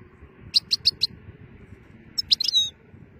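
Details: European goldfinch in nice weather: four evenly spaced sharp high chips, then after a pause a short twitter ending in a drawn-out, buzzy, falling note, over faint low background hum.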